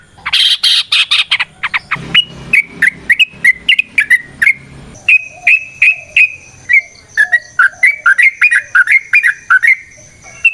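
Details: Yellow-vented bulbul (trucukan) song meant to provoke fighting: opens with a quick rattle of sharp high notes, then a long series of liquid, downslurred whistled phrases repeated at a steady, lively pace.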